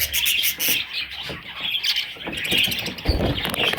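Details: Baby parrots giving a steady stream of soft, high twitters and chirps with no real pause, over light background noise.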